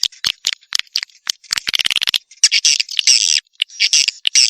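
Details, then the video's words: Swiftlet calls in the lure style known as tombak raja, used by swiftlet farmers to draw birds into swiftlet houses: dense, high, scratchy twitters and squeaky chips, some in quick stuttering bursts, others in longer buzzy chatter. "SUARA WALET TOMBAK RAJA"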